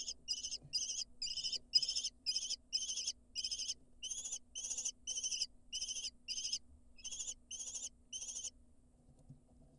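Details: Lesser kestrel nestlings in Israel, hatched May 2022, beg while being fed outside the nest box entrance, with harsh, high, rasping screeches about two a second for eight seconds over a faint steady hum.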